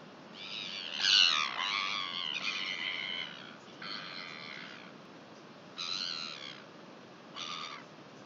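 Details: Northern royal albatross in New Zealand, recorded 23 July 2021: harsh, nasal, harmonic-rich calls in about five separated bursts over eight seconds, with a longer, louder run near the start.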